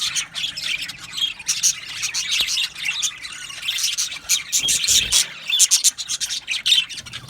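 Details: Budgie colony in an aviary, Australian budgerigars singing and chirping together: dense, continuous high twittering with overlapping scratchy chirps and trills throughout, and a brief low thud near the middle.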